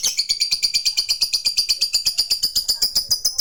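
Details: Long 'ngekek' chattering of a lovebird fighter calling out to a rival: shrill, evenly pulsed high notes, roughly five per second, held without a break across the whole stretch.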